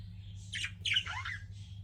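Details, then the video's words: Pet budgies chattering softly: a few wavering, scratchy squawks that slide up and down, heard quietly over a low room hum. "CUTE PET BUDGIES CHIRPING"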